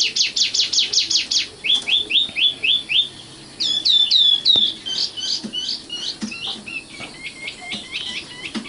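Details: Common nightingale, young 'matal' bird, delivering varied song: a fast volley of harsh high notes, five clear downward-slurred whistles, then upward-flicking chirps fading into a quieter, rapid scratchy series.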